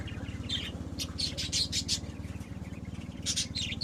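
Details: Pet budgies warbling in runs of quick, buzzy chirps, pausing briefly before another burst, against a steady low pulsing hum.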